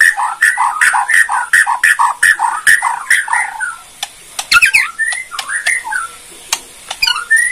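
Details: Borneo white-rumped shama giving kretekan, harsh rattling calls meant to stir other shamas to answer: a fast run of rasping notes about three per second, then sharp clicks and brief upswept whistles.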